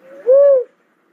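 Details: A single smooth, low coo from a cuckoo-dove, rising slightly then falling away, lasting under half a second.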